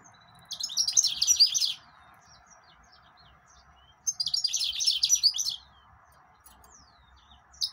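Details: Mozambique canary, the yellow-fronted canary or green singer, giving two energetic warbled phrases of jumbled high twittering and quick trilled notes, each over a second long, separated by quiet pauses with faint hum.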